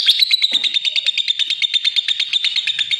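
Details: Lovebird pouring out a fast, continuous chatter of shrill, evenly spaced chirps, sharp and bright, filling the whole stretch without a break.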